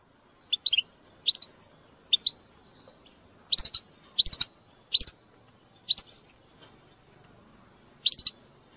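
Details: Goldfinch bitbita, a style played to stimulate goldfinches to sing: short bright chirps in tight clusters of two to four notes, high and clear, spaced irregularly over a quiet background.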